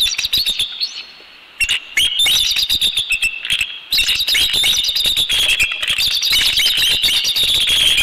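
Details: Bald eagles at a nest in Northeast Florida, recorded by nest camera; high thin chittering calls in rapid runs with sharp clicks, slight rises and falls, a brief pause near two seconds, then a continuous strident chatter.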